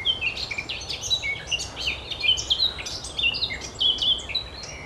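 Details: Singing Eurasian blackcap at the Oostplas, Goirle, Netherlands, 24 April 2012, delivering lively fluting and twittering notes in quick succession, several loud whistled accents rising above a faint hiss.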